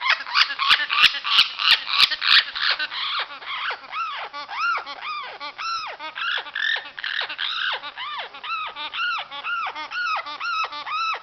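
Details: Amazon parrot calling during spring, when this behaviour is said to occur: a few sharp clicks, then a long series of repeated arched, nasal rising-falling notes, about three per second, with a rough chattering texture.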